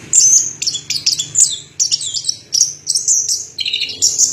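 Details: An Orange-headed thrush pours out a long-duration song of high, bright, slurred whistles in quick succession, each phrase short and closely spaced.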